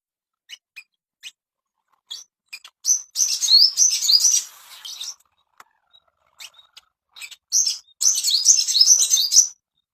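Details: Ashy tailorbird audio meant to bring birds into breeding condition: scattered sharp high ticks, then two loud bursts of fast, high, whistled warbling separated by a stretch of isolated clicks.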